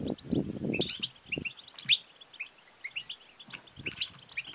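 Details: Female European goldfinch making the calls known locally as 'batbata' and 'satsata', meant to excite males into song and mating. Quick bright tinkling notes follow a low rumbling noise burst in the first second.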